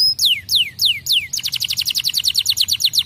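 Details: Canary song opening with four clear downslurred whistles, then breaking into a rapid, even trill of short bright notes repeated about four times per second.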